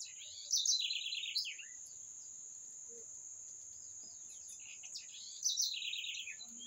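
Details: Bird song as two matching phrases about five seconds apart, each a sharp high note followed by a fast, buzzy trill sliding downward, with a constant shrill whine throughout.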